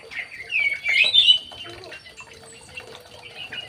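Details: Young male white-rumped shama in an aviary produces a fast, rising run of sweet whistled notes about one second long, then quieter soft chips over a faint continuous tone.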